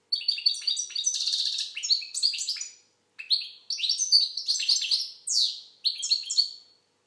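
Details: Fast twittering song from an Algerian goldfinch (European goldfinch): phrases of bright chirps and buzzy rattles separated by short gaps, ending in descending slurred notes.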